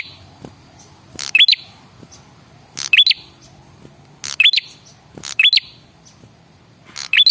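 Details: Lure call of a male red-headed prinia used to make birds respond: clipped high chirps with a ticking edge, coming in bursts about every second and a half.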